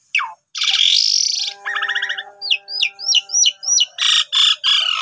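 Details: Asian pied starling singing as a training master for starlings: a long harsh rasp, a low whistled tone, then a series of sharp descending chirps about three per second, ending in pulsed harsh notes.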